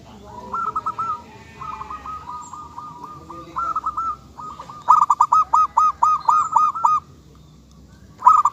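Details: Local zebra dove singing: soft hooked coo notes in rapid runs near one pitch, a fainter bird's phrases first, then a loud close series of about eight staccato notes, another burst at the end.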